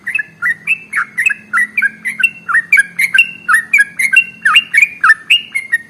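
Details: Lively sooty-headed bulbul (trucukan) in long ropel song, played as a lure for other songbirds; quick repeated bubbly whistles, about three a second, pitch hopping up and down in short phrases, with a faint low hum underneath.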